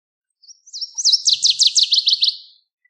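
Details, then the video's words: Northern waterthrush song: a loud run of sharp chirped notes, starting with thin high notes and accelerating into a rapid series of about a dozen emphatic downslurred chips, ending in a quick fading flourish. "Northern Waterthrush Song! Call! Sound! Chirp! - Reinita Charquera Canto"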